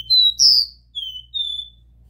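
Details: Pure 'Dó Ré Mi' song of the Copper seedeater, used to warm up a caged bird: two loud, high whistled notes sliding upward, then two lower, steadier whistles after a short gap.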